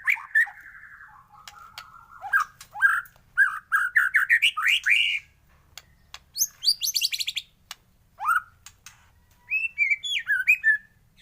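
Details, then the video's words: White-rumped shama singing in the morning as a lure for other shamas: bursts of clear rising whistles repeated in quick series, separated by short pauses, with a buzzy upward sweep midway. "pANCINGAN masteran pagi agar MURAI BATU gacor!!!"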